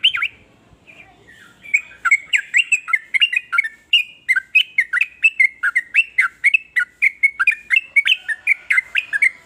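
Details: Yellow-vented bulbul with a varied song said to spur other bulbuls to join in. A steady, lively sequence of clear, dipping chirped notes repeats roughly twice per second throughout.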